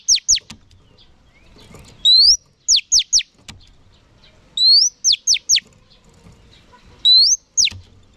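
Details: Female oriental magpie-robin song for stimulating males: about four phrases several seconds apart, each an upslurred whistle followed by three or four crisp, steeply falling notes.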